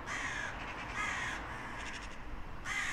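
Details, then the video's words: Crows cawing in a compilation: harsh, hoarse caws overlapping in bursts roughly every second, several birds calling against a steady background hiss. "Sunete de ciori. Sunete de pasare cioara."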